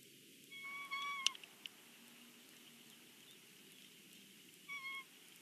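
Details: Breakfast at the Big Bear bald eagle nest: a whistled, slightly falling call with a sharp click, then quiet, then a second short whistled note, all over a constant low rushing sound.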